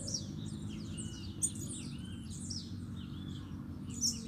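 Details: A caged male Double-collared Seedeater sings repeatedly at close range toward other birds near its cage: quick, high, twittering phrases of chirps and slurred whistles, nearly continuous, over a steady low rumble.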